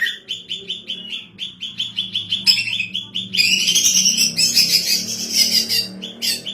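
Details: A female greater green leafbird, noted as a keen singer for teaching other birds and as a lure, repeats crisp chip notes roughly three per second, then launches into a continuous scratchy, high-pitched warble.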